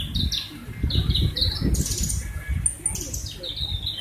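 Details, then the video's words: Van Hasselt's sunbird in lively full song: short high thin notes, some sliding down and some held, in quick phrases over a steady low rumble. "Burung konin gacor..... Kolibri ninja gacor banget"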